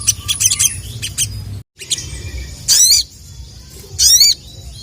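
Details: Spiderhunter giving loud, sharp, buzzy 'cuit' calls that call out rival males, two bursts near the end after a stretch of rapid high chirping and a brief silence.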